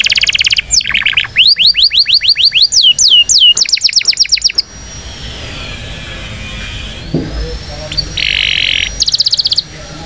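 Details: Indonesian canary song for training young canaries: rapid trills and rows of falling whistled notes for several seconds, then a quieter stretch with faint hiss and a short buzzy burst.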